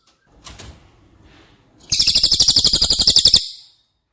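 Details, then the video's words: A cililin, recorded as training song for caged White-rumped shama, gives a quick, high trill of sharp notes for about a second and a half after some soft knocks and rustling. "Masteran CILILIN Materi Wajib untuk Burung Murai Batu anda!!"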